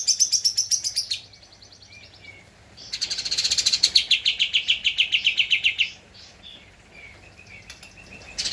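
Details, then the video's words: Javan white-eye in lively song for a master recording to train cage birds: two long, fast, high trills of evenly repeated notes, the second about three seconds long, with quiet chirps between and after. "Kapas Tembak Gacor untuk Masteran (suara asli)"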